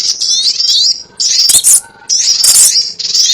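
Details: Sogon ontong bird sound used as a lure for trapping birds: bursts of high, thin, scratchy chattering calls lasting under a second each, with short pauses between them.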